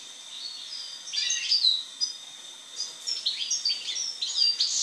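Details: After moulting, a European goldfinch delivers two phrases of fast, jingling high twitters with slurred notes, a brief lull between them, and a constant high tone underneath.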